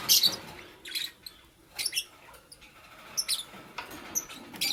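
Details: Green Fischer's lovebird, paired with a pastel bird, busy building a nest; sharp high chirps in clusters about a second apart, with soft scratching and rustling between them.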